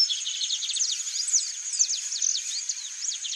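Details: Mimus saturninus, the chalk-browed mockingbird, giving a busy tumbling song of sharp downslurred notes and twittery fragments in quick succession, with a constant high insect drone throughout.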